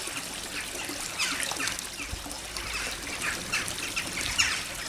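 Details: Crows flying over a garden to roost in the evening, Fremington, North Devon, UK, January 2010, in large numbers: harsh scattered calls overlapping against a steady broad hiss.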